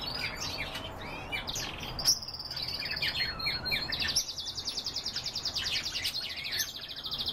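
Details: Canary song from a group of kept birds: scattered chirps, then a long, fast, even, rattling high trill of rapidly repeated notes held for about three seconds.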